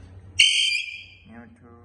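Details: Talking pet parrot uttering one loud, piercing, shrill whistle held for about a third of a second and fading away, followed by soft murmuring sounds over a low background hum.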